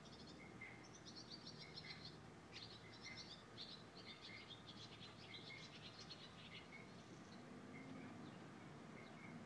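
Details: Purple martins scouting an entryway under a house as a possible nest site in late May 2012; high chirps and short warbling notes repeat through the clip over a low steady background hum.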